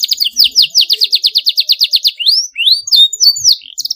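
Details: Canary 'cuit cuit' chirping used to stimulate young birds learning to sing: a fast run of about twenty bright downslurred notes, then separate rising whistles and sharp chips, high-pitched and clean with no other sounds.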